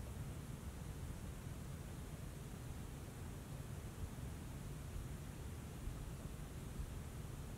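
Steady, even rushing noise, heavy in the low end, like wind or distant water, with no animal calls.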